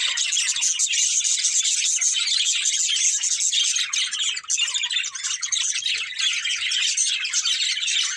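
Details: Unbroken budgerigar chatter from a breeding pair, a dense wash of high twittering and warbled chirps at roughly even loudness, tiny notes crowding together with almost no gaps.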